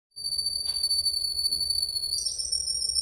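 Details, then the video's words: Spanish Timbrado canary in long continuous song: a steady, high, pure whistled note held for about two seconds, then shifting to a slightly different pitch with a brief rougher break. "Burung Kenari Gacor Panjang, Kenari Spanish Timbrado"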